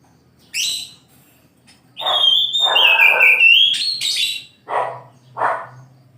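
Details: Oriental magpie-robin singing in the morning: a long sustained whistle gliding gently downward, framed by short harsh rasping bursts and sharp high chips, over a faint low hum.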